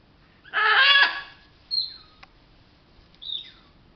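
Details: Pet macaw playing with a favourite towel; one loud, rough, broadband squawk lasting about half a second, followed by two thin, high, downward-sliding whistles in a quiet room.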